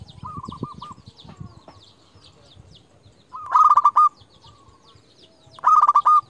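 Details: Local zebra dove, a champion lure bird, calling to provoke rival doves. Soft cooing phrases in the first seconds, then two loud, rolling stuttered coo phrases of rapid harsh notes ending in drawn-out coos, about two seconds apart.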